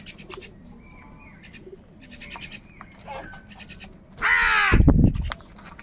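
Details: Crows in the morning, fighting for food: one loud, harsh, drawn-out caw lasting about a second near the end, with a low thump beneath it and steady small-bird chirping throughout.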